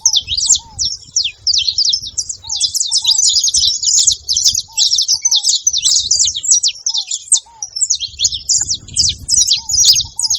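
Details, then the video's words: Several saffron finches gathered at a feeding spot, trading rapid high, scratchy chirps in an almost unbroken stream, while a dove's soft paired coos sound at intervals below. "canário da terra fazendo barulho na seva"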